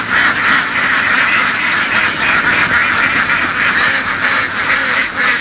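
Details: Laying ducks driven across open fields in western Vietnam call nonstop, many harsh quacks overlapping in a pulsing flock chorus with slight rises and dips in loudness.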